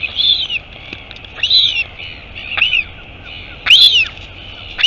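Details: Royal albatross nest at Taiaroa Head near Dunedin, New Zealand, on 23 August 2022 when the mother arrives, from a live camera; sharp rising-then-falling squeaky whistles repeated roughly once a second, backed by constant wind noise.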